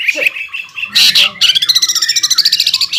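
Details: Greater green leafbird song in the 'ngeroll' manner: harsh chattering notes give way to a steady, rapid rolling trill of high, slightly rising whistled pulses.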